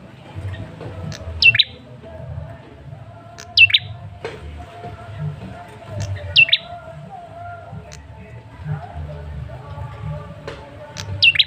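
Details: Male red-headed tailorbird lure call for drawing out a reply: four sharp, high falling whistles, each with a quick trailing note, spaced about two to four seconds apart over a low hum.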